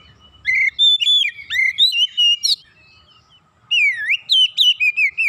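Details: Kacer (Oriental magpie-robin) breaking its silence with gacor song after a single lure: bright whistled phrases with upward sweeps and sharp clicks, a pause of about a second, then another rapid run of varied whistles.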